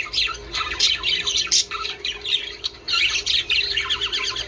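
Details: Budgerigars chattering to stimulate mating: squawky, harsh bursts and warbling runs, with a brief pause midway before the chatter resumes densely.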